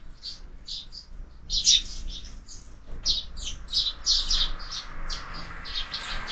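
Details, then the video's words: Fighting sparrows at a feeder fixed to a window, fed year-round, give bursts of sharp, high chirps in quick clusters with brief pauses between them. Faint low hum underneath. "Воробьи в кормушке - драки, драки"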